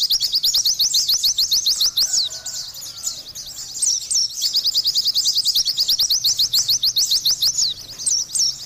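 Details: Energetic gacor song of an Oriental white-eye, a rapid, chattering stream of thin, high chirps with brief looping whistled flourishes, dipping once mid-phrase before resuming at full pace.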